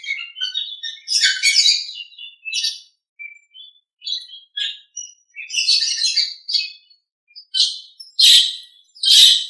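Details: Nias hill myna master recording used to train birds: scattered short chirps and whistles that build into loud chattering, ending in sharp, separate harsh bursts.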